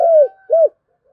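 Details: Fragment of spotted dove 'thúc gù' cooing, native-field voice, meant to draw calls from wild doves: a falling coo followed by a shorter arched coo, then quiet.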